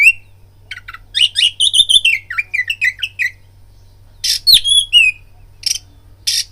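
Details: Oriental magpie-robin lure song meant to incite fighting: a rapid twittering run of whistled notes, silence, then harsh rasping bursts with a sharp falling whistle.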